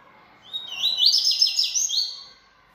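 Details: Bold kept yellow-bellied seedeater in full song: a nearly two-second burst of quick, sweet high notes, rising then chattering in rapid buzzy repeats before a final clear whistled tail.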